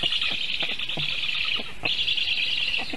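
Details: Black stork chicks on their nest in Sigulda, Latvia, defending themselves after a goshawk landed on the nest tree during feeding and the parent fled, give a harsh, hissing, wheezy near-continuous chorus; 1 August 2021, 4:51 PM.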